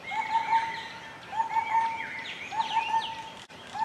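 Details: Yellow-crowned woodpecker (Leiopicus mahrattensis) calling: short runs of three or four clear, mid-pitched notes about once a second, while other small birds twitter and chirp higher up.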